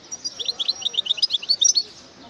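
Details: Quick liquid twittering from a European goldfinch, sharp high notes tumbling in a fast, even stream for about two seconds against faint background noise.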